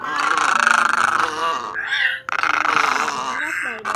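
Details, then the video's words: Egret lure sound for trapping migratory birds in nets at night: two long, rough, buzzing croaks separated by a short high squeaky note. "Tiếng Cò Mỏ Đen , Mỏ Vàng Cò Ngàng"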